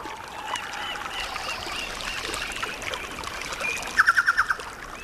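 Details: A chucao tapaculo in Chile's rainforest gives a quick run of loud, gurgling notes, its territorial call.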